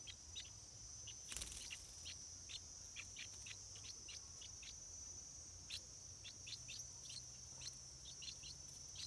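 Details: Stripe-throated bulbul chicks near their first flight, calling with short, sharp chirps repeated rapidly and unevenly over a steady high insect drone, with one loud broadband burst near the start.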